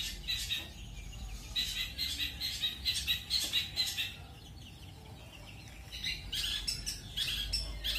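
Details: Long-tailed shrike, pastol training material of roll speed and roll tembak: runs of rapid, scratchy, high-pitched notes in bursts, a quieter gap midway, then loud chattering rolls return toward the end.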